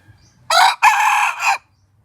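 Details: Pradu-coloured junglefowl decoy rooster crowing: a short loud opening burst, a brief break, then a longer hoarse drawn-out phrase ending in a final lift, all within about a second, with near silence around it.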